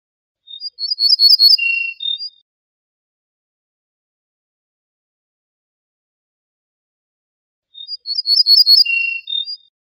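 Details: Ortolan bunting (Emberiza hortulana) song: two short phrases about seven seconds apart, each a quick run of bright ringing notes ending in a lower, drawn-out note, against silence.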